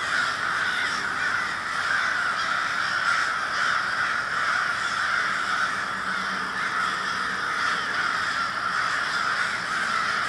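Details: Crowd of crows, Minneapolis, Minnesota, 20 February 2020, cawing all at once: a thick, even din of hoarse overlapping calls, steady in loudness, with a brief low drone partway through.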